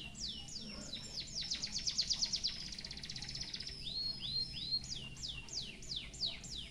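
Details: White-headed munia singing canary-style phrases for song tutoring: falling sweeps run into a rapid, rattling trill, followed by rising whistles and more sharp downward-sliding notes.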